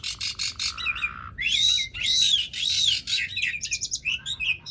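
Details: An Asian pied starling sings to coax quiet starlings into song: a low steady buzz, then loud harsh rasping bursts with arching whistles, ending in quick chattering notes.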